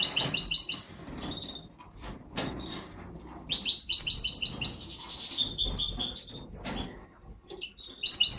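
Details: Aviary goldfinches, a satiné male with a yellow parva mutated female, give repeated crisp, ringing high chirps in rapid little trills, bunched into lively groups with brief gaps. Soft rustling sounds run underneath.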